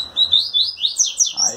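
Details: A captive brown-plumaged double-collared seedeater trembles its wings and sings to a female, giving a lively string of about eight clear, swooping whistled notes that rise and fall, with a man's voice faintly underneath.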